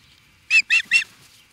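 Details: Osprey reacting to an intruder in Charlo, Montana, USA: three quick, high, squealing chirps in a row over faint background noise.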